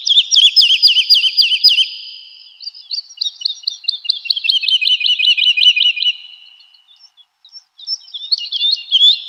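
Woodlark song: fluting, liquid notes repeated in fast rolling series of about ten, each series slowly falling in pitch, with a brief pause before a new phrase.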